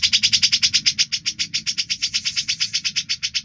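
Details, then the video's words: Grey-cheeked bulbul (cucak jenggot) singing prolifically, used as a tutor recording for other songbirds: a fast, steady train of buzzy, high chattering notes, about eight per second, running without pause. "Suara Burung cucak jenggot gacor, bisa buat isian"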